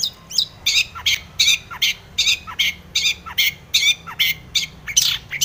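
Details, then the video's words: Long-tailed shrike in breeding condition, used as a lure to make other shrikes sing: harsh, raspy, buzzy notes, each with a short down-slurred lead-in, repeated a little over once a second. "cendet gacor BIRAHI full isian ini MANJUR pancingan cendet agar bunyi"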